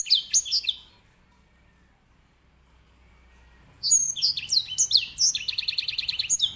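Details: A caged grey singing finch, known as edel sanger and used to tutor canaries, sings two bursts of bright, high slurred notes separated by a quiet gap, the second ending in a rapid buzzy trill. A faint low hum sits underneath.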